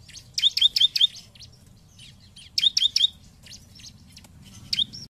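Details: Bar-winged prinia song used as a lure for rival birds: sharp, high chirps in rapid groups of four, repeated roughly every two seconds with faint notes between groups.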